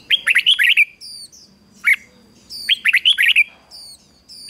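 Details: Caged decoy red-whiskered bulbul singing to lure wild birds and stir other birds into song. Two bursts of rapid, bright, warbling chirps with a lone note between and faint high ticks.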